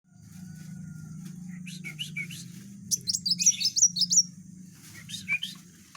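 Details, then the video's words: Van Hasselt's sunbird singing in a lively, dense rapid-fire style, kept as a tutor bird for training others; a burst of high, sharp chirps mid-clip over a steady low hum, with scattered softer ticks before and after. "burung kolibri wulung gacor tembakan rapat"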